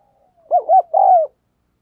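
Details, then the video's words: Spotted dove used as a decoy, cooing eagerly to provoke wild birds; a single close, loud phrase of two quick hooting notes followed by a drawn-out, slightly falling coo, then silence. "Chim Cu Mồi Gù Thúc Bổi Nghe Hăng Nên Và Rất Siêng Gáy"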